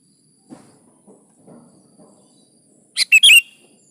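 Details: Energetic sooty-headed bulbul meant to coax other kutilang into song: a few soft low knocks, then a sudden quick phrase of three bright, gurgling whistled notes.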